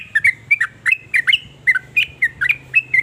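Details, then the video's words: Sooty-headed bulbul singing its varied notes that prompt other bulbuls to respond: separate bubbly whistles, often in pairs, rising or falling, spaced roughly a quarter second apart, with a soft low hum in the background. "ber macam" suara trucukan ini bikin trucuk lain iri jadi langsung ikut bunyi"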